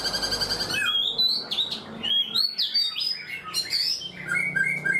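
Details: Song of a black-throated laughingthrush caged four months: a buzzy pulsed opening, then lively high whistles that jump and slide between notes in quick succession.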